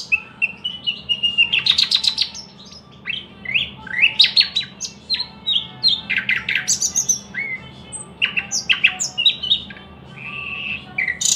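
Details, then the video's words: Continuous singing by a thrush nightingale, alternating loud clicking rattles, buzzy chatters, swooping whistles and sustained pure notes in quick succession, with only short breaks and a faint steady background drone. "luscinia luscinia"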